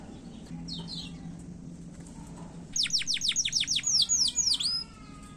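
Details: Canary in a fast, short 'gacor' singing style used as a lure to trigger other canaries to sing; after a quiet start, a rapid run of steep downward-swept whistled notes, about ten in quick succession, ending in a few longer slurred notes.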